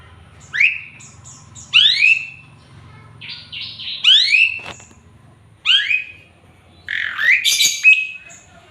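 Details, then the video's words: Male Asian pied starling singing actively, its song full of fills and used as training song for other birds: loud squeaky notes that sweep up and then slur down, repeated in bursts about every second, with a faint low hum beneath. "JALAK SUREN GACOR JANTAN FULL ISIAN"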